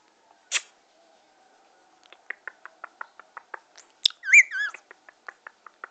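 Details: Pet Indian ringneck parakeet chattering, described as in love: a quick series of short clipped notes with a sharp high squeak and a wavering warbled whistle in the middle, indoors and otherwise quiet.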